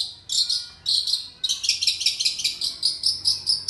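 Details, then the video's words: Indonesian long-tailed shrike mimicking a cricket, giving high, dry, buzzy trilled pulses in short bursts that merge into a fast, steady chirring series repeated several times a second. "Cendet suara jangkrik"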